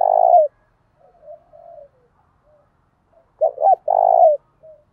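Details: Spotted dove in the Thổ đồng voice style, calling to rile rivals: a coo ending, quiet soft notes, then a clear phrase of two short gruff notes and a prolonged rolling coo.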